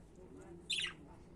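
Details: A single budgerigar gives one short, harsh, scratchy squawk, briefly dropping in pitch, over a quiet steady hum.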